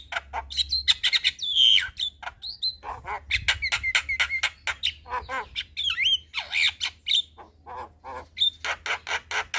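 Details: Black-winged starling evening song used to train young birds: rapid series of harsh clicking and rasping notes mixed with clear rising whistles and squeaky slurred phrases.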